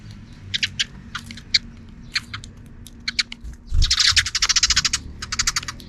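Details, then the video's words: Afternoon sparrow chatter: scattered single chirps at first, then a dense, loud cluster of quick harsh notes followed by a steady run of repeated chirps. "Even in the afternoon, the sparrows are still making noise outside the camera frame."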